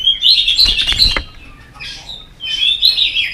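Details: Excited white-rumped shama, stirred up and tail-flicking with snapping 'tạch' sounds, sings bright high warbled phrases with a quieter gap mid-phrase, over a few low soft thumps.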